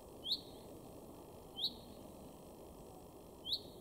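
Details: Male Common Chaffinch in a garden at Weener, East Frisia, Germany, March 2022, giving three brief, bright, high call notes spaced roughly one and a half seconds apart against a quiet, steady background.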